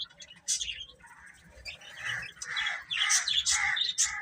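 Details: Chicks (baby chickens) chirping: a busy mix of high, sharp peeps overlapping one another, growing louder and denser from about halfway, with little pause between calls.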